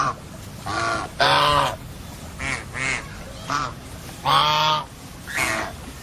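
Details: Domestic geese giving loud, strident honks, each a rich harsh blast under half a second long, repeated in an uneven series of about eight calls, two notably longer and louder.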